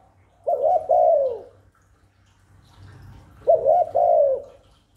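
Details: Cooing spotted dove used to draw in wild doves and excite newly kept birds, giving two phrases about three seconds apart, each a brief lead note followed by a long mellow descending coo.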